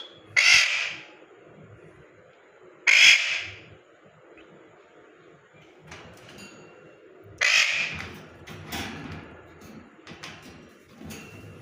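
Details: Parrot giving loud, harsh squawks, four main blasts spaced two to four seconds apart, with softer clicks and scratchy noises between them.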